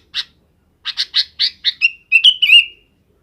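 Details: In the afternoon, a sooty-headed bulbul calls its companions to roost, giving a lone chirp, then a fast run of five or six bright chirps that ends in a slurred, whistled warble.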